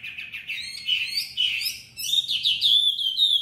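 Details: Chinese hwamei, a tame cage bird from Hanoi, Vietnam, giving competitive song: fast, tumbling warbled phrases rising into loud, clear whistles with little pause between.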